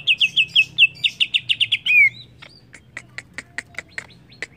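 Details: Excited song from a greater green leafbird, locally cucak ijo: a rapid series of rich whistled notes ending in a downslurred whistle, followed by evenly spaced dry ticks.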